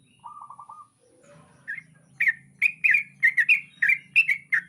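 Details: Sooty-headed bulbul at dawn. A low droning hum and a few soft lower tones come first, then a regular series of bright, hooked chirps sounds over the continuing background hum.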